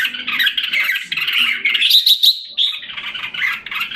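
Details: Singapore red-whiskered bulbul recovering its form after molting, July 2017; continuous scratchy warbling chatter rising into a few bright, high whistled notes midway, then more rapid chattering phrases.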